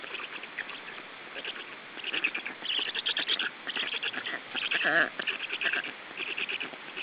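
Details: Black stork nestlings, about three weeks old, begging while being fed in Estonia, June 2013: harsh, wheezy, overlapping calls swelling in bursts, with a short rhythmic rattle near the end amid steady chatter.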